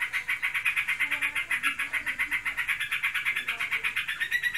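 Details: A Yellow-vented Bulbul (trocokan), a pet bird in breeding condition, pours out a continuous, very fast buzzing trill of harsh pulses throughout, indoors.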